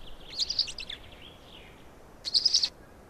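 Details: Estonian black stork nestlings at feeding time, 16 May 2019, giving two bursts of thin, high, hissing squeaks with a faint sliding whistle between them.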